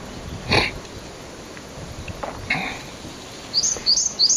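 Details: One of two Japanese tits calling loudly in alarm on a bridge, apparently sensing something wrong, 18 April: a harsh burst, then a quick run of four high, sharp chipping notes near the end; faint background noise.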